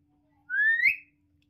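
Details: A pet talking common hill myna, coaxed to speak by its owner, gives one loud, clear whistle of about half a second that slides steadily upward and ends in a soft click, over a faint steady hum.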